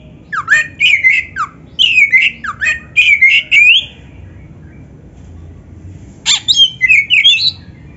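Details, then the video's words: Oriental magpie-robin giving energetic gacor narung song to tutor other kacer: rapid run of rising whistled notes mixed with grating chatter, a pause of quiet, then another loud burst of scratchy warbling. "SUARA BURUNG KACER GACOR FULL NARUNG ‼️ Untuk MASTERAN KACER MANAPUN"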